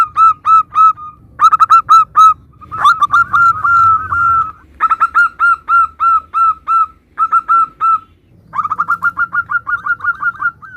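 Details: Active local zebra dove, varied song compilation for luring replies: repeated bursts of clear, bell-like coos, some rapid and stuttering, others spaced, broken by short silences with an abrupt edit between phrases.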